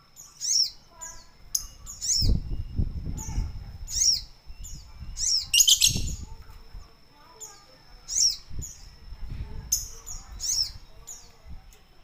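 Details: Sooty-headed bulbul bathing in ice water, giving sharp, high, downward-sweeping chirps repeated every second or so, with low splashing and fluttering of water between calls.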